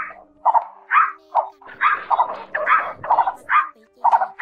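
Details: Male and female blue-bearded bee-eaters calling the flock, a lure for trapping: loud, harsh kow-like croaks repeated about 68 times a minute at an uneven pace, over a thin steady hum.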